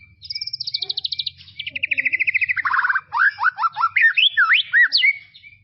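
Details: White-rumped shama singing in tropical forest, used as a tutor recording for young birds: a long trilled phrase of rapid repeated notes sliding downward, then a run of loud upswept whistles and quick rising slurs.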